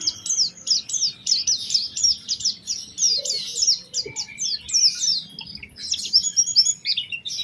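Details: Oriental white-eye lure song in a prized melodic style, meant to get other white-eyes singing: a fast, sustained chatter of high, sharp downslurred notes in quick succession, very clean background.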